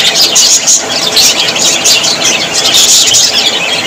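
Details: Happy budgerigars chattering: thick high-pitched twittering and squeaky warbles pour out continuously, several birds at once, with no pauses.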